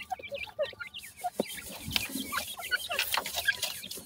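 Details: Mixed francolins chattering at once: quick, high, chirpy clucks and short rising whistles tumble over one another without pause, with scattered sharp taps and a background hiss.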